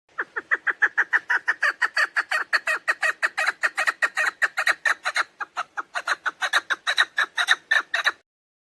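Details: Rapid run of roughly forty-five harsh, chattering clucks from a female chukar partridge, a call used as a lure in partridge hunting, pouring out steadily for eight seconds with no other sounds.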